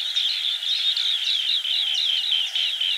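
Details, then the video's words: Steady high, liquid chirping of green bee-eaters, trills overlapping so closely they form a constant chatter lasting the full three seconds. "Green Bee Eater Call | বাঁশপাতি পাখির ডাক | Bee Eater Bird Sound | Banspati Pakhir Dak"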